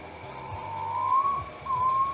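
North Moluccan pitta: two drawn-out, slightly rising mellow whistles, the first over a second long. A low hum and a faint steady high tone sit underneath.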